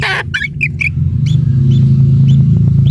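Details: Single young kingfisher chick at its nest, fed insects by a parent: a loud burst opens, then a quick run of three or four sharp chirps, followed by fainter notes, with a constant low hum beneath.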